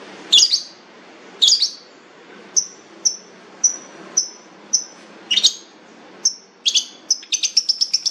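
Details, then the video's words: Long-tailed shrike, called fierce with a rich voice, mixing harsh rasping notes with clear short whistles about every half second, ending in a rapid series of high whistled notes. "cendet jahat suara mewah"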